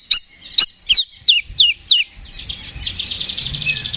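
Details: Fighting song of an Oriental magpie-robin, used to stir up rival birds. Six sharp, whip-like descending notes about every third of a second, then a soft, rapid chattering trill that trails off against faint background hum.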